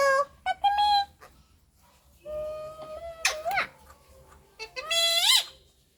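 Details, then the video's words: Pet parrot talking Malayalam with its owner indoors: short nasal, strongly harmonic syllables at the start, then a long steady tone, a harsh broadband squawk, and a drawn-out syllable that rises then falls near the end. "Malayalam Talking Parrot🦜 മലയാളം സംസാരിക്കുന്ന താത്ത"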